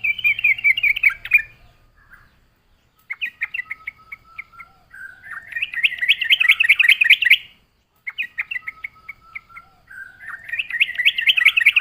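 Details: Vigorous yellow-vented bulbul song meant to lure wild birds: long runs of rapid, bubbly chattering notes with brief gaps, sustained throughout.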